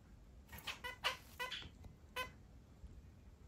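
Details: Two pet zebra finch sisters quarrelling during preening and staring at each other give short, nasal, toy-trumpet calls in a quick irregular burst of four or five notes, with a low indoor hum.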